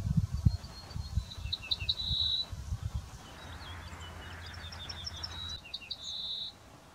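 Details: An Ortolan bunting, one of several singing from walnut trees in the area and hard to see, sings a few high, ringing notes ending in a longer drawn-out note. The phrase is given twice over a low rumble of wind.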